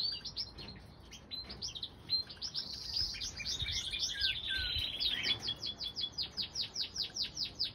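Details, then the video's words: Common crossbill nestlings, one and three days old, fed by their mother in April 2020; a dense run of rapid high chirps, roughly two per second, rising to a busy twittering cluster, then evenly spaced squeaks. "2020 common Crossbill breeding season - (2- Eggs hatched and chick feeding)"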